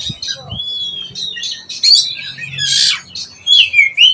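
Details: Oriental magpie-robin learning to sing ngeplong: a long level whistle, scattered chirps, a harsh rasping burst and a final clear down-slurred whistle, with a low background hum.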